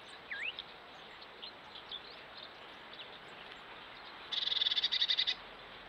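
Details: Two flirting Dunnocks early in the morning on a trail camera: a few thin, high slurred notes, then a rapid one-second trill of about ten quick pulses, over a steady background hiss.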